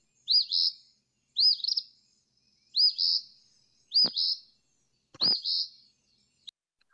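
Eastern Phoebe repeating its high, burry two-part 'fee-bee' song five times, roughly every one and a half seconds, with a couple of soft low thumps.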